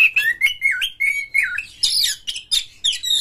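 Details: Oriental magpie-robin delivering rough, full song to coax other magpie-robins: a chain of clear rising and falling whistles, then a dense, hissing burst of harsh notes.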